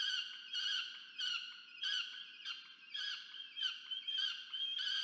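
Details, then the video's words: Hungry peregrine falcon chick on a research nest cam in Orange, Australia, 13 November 2022, begging its parent for food; repeated grating screams, some breaking into a thinner, higher whine toward the end. "FalconCam Project CSU Orange(AUS)- Rubus domaga się jedzenia od Diamond"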